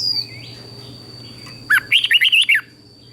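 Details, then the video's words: Caged red-whiskered bulbul from Thailand singing to stir up other bulbuls, southern master style for teaching young birds: after a soft upslurred note, one brisk phrase of six bright, bubbling whistles, with a steady high tone behind. "เสียงนกกรงหัวจุก สำหรับต่อ หรือ เปิดให้นกคึก เสียงเพราะๆ"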